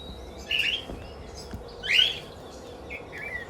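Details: Two loud upward-sliding whistled chirps from a lutino cockatiel kept with budgies and lovebirds, about a second and a half apart, followed by softer short notes.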